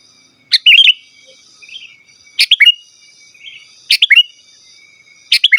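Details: Sooty-headed bulbul song used to call wild birds and as a tutor: a bright bubbly phrase of a sharp note then warbled notes, repeated about every one and a half seconds, with faint insect trilling between.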